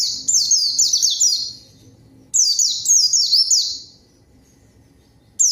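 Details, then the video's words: Lure song of a white-eye for drawing rivals and waking quiet birds: two phrases of sharp, shrill down-slurred notes delivered in quick succession, separated by short silences, ending with the start of a third. "PANCINGAN PLECI GACOR MANGGIL LAWAN COCOK UNTUK PLECI DIAM AGAR CEPAT BUNYI DAN GACOR"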